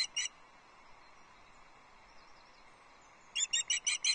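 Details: A female osprey fish calling for her mate at a Loch Arkaig nest, 6 July 2024. Two high whistled notes, then a long near-silent stretch, then five more loud cheeps in quick rhythm.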